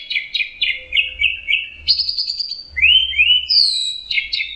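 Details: Orange-headed thrush singing teler: a series of repeated rich mid-pitched whistled notes, then a sustained buzzy phrase and upward-sweeping whistles, with faint low background noise.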